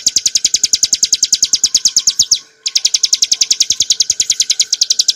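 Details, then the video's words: Bar-winged prinia song in the clear 'ngebren' style for tutoring cage birds: fast runs of bright, high chips, broken by a short gap midway before the trill resumes. "kicauan burung ciblek gurun untuk masteran & pancingan - suara jernih ngebren nembak"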